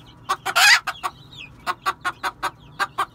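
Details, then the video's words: One harsh, rasping squawk from a red junglefowl, followed by about ten evenly spaced short clucks. Faint high whistled notes are also heard. "Red Jungle Fowl"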